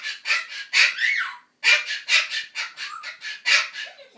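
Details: Pet Ducorps's cockatoo indoors giving a run of harsh, raspy screeching calls, repeated roughly every third of a second in bursts with a short pause midway; broad, grating squawks.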